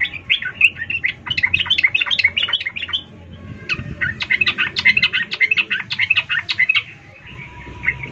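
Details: Female sooty-headed bulbul calling a male in emotional ngecuplik style, used to provoke silent males. Two long strings of rapid, clipped, bright notes are separated by a short lull, with low background rumble.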